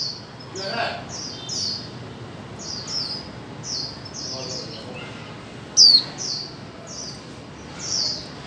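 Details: Female white-eye calling to encourage mute birds to sing: a fairly quiet run of many short, high, thin notes, with one stronger descending chirp near the end.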